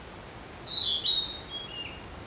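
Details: A Narcissus flycatcher sings one high whistled phrase that slides downward into a clear note, followed by fainter trailing whistles against a soft, steady hiss.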